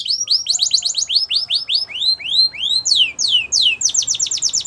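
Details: Canary song used for training: series of bright falling whistled sweeps, first quick, then slower and longer, ending in a fast run of repeated notes.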